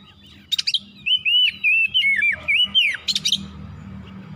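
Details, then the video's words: Oriental magpie-robin song played as therapy to make the bird quick to get worked up: a loud run of clear, slurred whistles rising and falling, framed by harsh buzzy bursts at the start and end. "TERAPI MERANGSANG KACER CEPAT EMOSI GACOR BONGKAR ISIAN"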